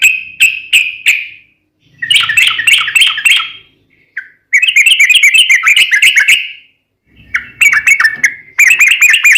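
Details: Sooty-headed bulbul in long, lively song, played to make other bulbuls respond; short notes, then several bursts of fast, bubbly chattering phrases broken by brief pauses, with faint low background rumble.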